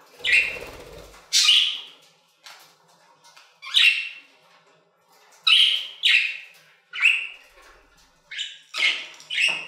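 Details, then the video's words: Aviary budgerigars making a series of sharp, harsh squawks and chirps, each separate burst rising quickly then fading, spaced roughly one to two seconds apart with quiet gaps between. "Budgie Songs - 1 hour of Budgies singing in the Aviary"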